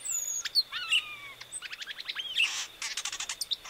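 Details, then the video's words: Variable oriole (Icterus pyrrhopterus), called Encontro in Brazil, singing a varied phrase: clear whistled notes with gently falling slurs, a burst of rapid sharp ticks, then harsh buzzy bursts and a rattle, over a steady high thin background tone. "VARIABLE ORIOLE Nature's Singers (ICTERUS PYRRHOPTERUS) ENCONTRO"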